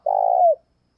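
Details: Morning call of a decoy spotted dove luring wild doves. A single long, low, purring coo, steady at first, then sliding down into a short dropping tail. Nothing else audible.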